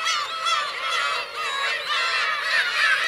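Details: On Teuri Island's Kurosaki shore in Hokkaido, Japan, 17 June 2021, black-tailed gull parents and chicks fill the air with a continuous chorus of overlapping, nasal, downward-curving mews.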